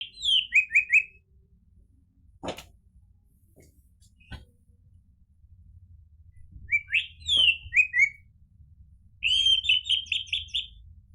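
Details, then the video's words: Orange-headed thrush song used to prompt a caged bird to answer: short phrases of descending slurred whistles and a fast chattering series, separated by long pauses with a few clicks and low hum. "PANCINGAN ANIS MERAH biar bunyi NYAUT JADI GACOR ikut NGEPLONG"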